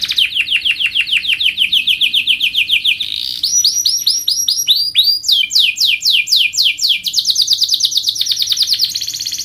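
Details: Canary tutor song for youngsters, delivered as dense rolls: a fast series of downslurred notes, then quicker arched chirps, then another rapid run of descending strokes, all loud and unbroken.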